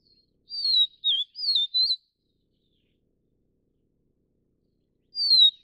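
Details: Vivid niltava (Niltava vivida vivida, found only in Taiwan): one phrase of four bright, high whistled notes, falling and twisting, then a long pause before a single falling whistle begins the next phrase.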